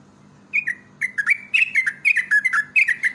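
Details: Energetic yellow-vented bulbul pancingan lure song: a brief pause, then rapid, rollicking whistled notes slurring down in pairs and triplets, building into a busy, liquid chatter, with a steady low hum in the background.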